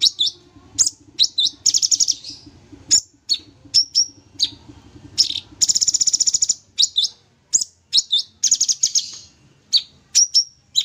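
A Sooty-headed bulbul sings in high, sharp chirps broken by rapid buzzy trill bursts of about a second, repeated without pause; a faint low hum underlies it.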